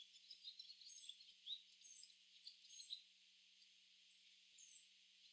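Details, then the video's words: Barn swallows in a flock gathering in a tree give quiet, high twittering chirps in short clusters roughly every second, fading to a softer background chatter after three seconds before a final brief burst. "Barn swallow chirping sounds"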